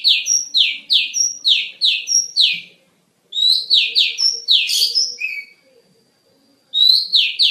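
Oriental magpie-robin giving quick runs of high, down-slurred notes, about three per second, broken by a few pauses and a brief thin whistle.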